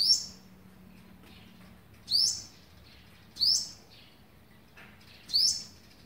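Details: Olive-backed sunbird feeding young, day 11, 27 November 2019: four high, piercing upslurred chirps spaced one to two seconds apart over low, even background noise.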